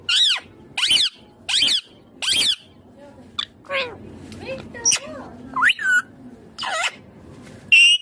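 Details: Indian ringneck green parrot talking: four evenly spaced, identical chevron-shaped syllables about every 0.7 seconds, then varied bent and rising voiced phrases ending on a steady high tone.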